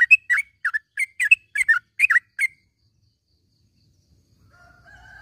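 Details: Yellow-vented bulbul giving lively morning calls, used to train silent caged bulbuls to sing. A brisk run of warbling chirps lasts two and a half seconds, then silence, with a faint whistled tone near the end.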